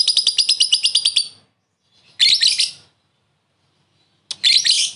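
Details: A lovebird calling out to a rival with its short laughing ngekek lure call: a quick rattling burst of high notes, then two harsh buzzy bursts separated by silence.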